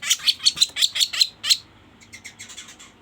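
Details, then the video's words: Sooty-headed bulbul lure sound for trapping: about eight loud, rasping chips in quick succession, followed by a softer, rapid twittering. "Suara pikat burung kaso kaso gacor"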